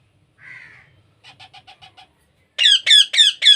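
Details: Baby parrot during hand-feeding: one drawn-out buzzy note, five soft short notes, then four loud rasping squawks in quick succession.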